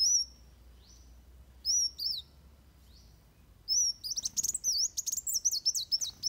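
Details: Van Hasselt's sunbird fighting song for training birds: a few sparse thin whistled notes with long pauses, then a sudden dense burst of rapid high chirps and twisting trills.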